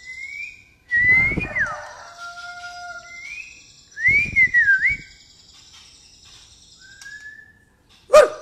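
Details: Caged white-rumped shama of the pastol type singing gereja tarung material: pure whistled notes, some rising then falling in slurred phrases, repeated several times with pauses, and a sharp knock at the end.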